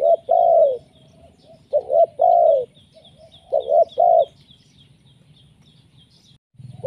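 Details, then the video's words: Spotted dove calling as a lure: repeated soft, mellow coo phrases, each with short notes and a longer falling coo, several phrases in quick succession then silence, with faint higher chirps in the background. "Suara pikat tekukur,, gacor menekan"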